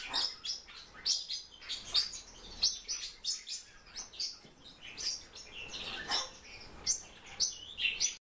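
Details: Silver-eared mesia held as a pet, sounding a series of crisp, very high chips and squeaky whistles in uneven clusters, sometimes two or three notes close together, then brief pauses.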